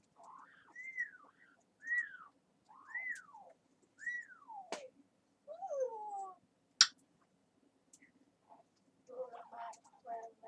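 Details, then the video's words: Pet talking parrot indoors in a small room: a series of arched whistled notes that rise and fall, about one each second, then longer downward slurs, a sharp click and a burst of soft chattering at the end. "Talking Parrot"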